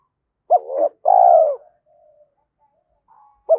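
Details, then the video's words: Decoy spotted dove cooing quickly: one phrase of a short wavering note leading into a long, steady, gently falling coo, with the start of the next phrase at the end. "Chim Cu Mồi - cu gay kich boi nhanh noi gù"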